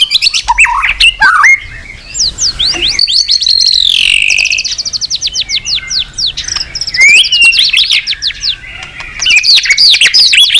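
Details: White-rumped shama pouring out a long, varied song of high sweeping whistles, sharp chips and fast trills, with short breaks between bursts.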